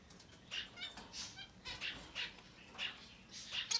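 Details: Society finch chicks, up to 10 days old, give faint, high, raspy begging chirps, about two a second in short uneven bursts, over a quiet background hiss.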